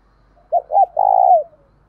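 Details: Spotted dove decoy bird, 'thổ đồng' voice style, used to quickly lure other doves: two short hollow coos followed by one long burry coo that trails downward, a single phrase in quiet surroundings.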